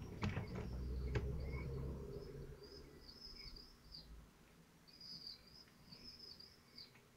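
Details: Common kestrel family at the nest, Théding, France, 25 June 2023, at feeding time: high, drawn-out squealing calls in two bursts, wavering and arched, after an opening of loud low thumping and rustling.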